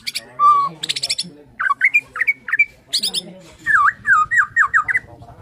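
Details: Morning song of a Borneo white-rumped shama: buzzy high bursts mixed with rising whistles, then a string of six loud looping down-and-up notes at an even pace.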